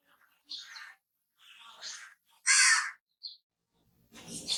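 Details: Crow uttering a loud, coarse caw after two softer rasping notes, followed by a short high chirp and a noisy burst at the end.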